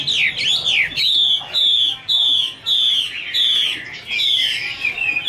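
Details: Female hwamei in 'te' style, a male audible behind: opening looping warbled notes, then a steady sequence of strong level whistles about every half second, each with a slight dip, closing with wavering notes.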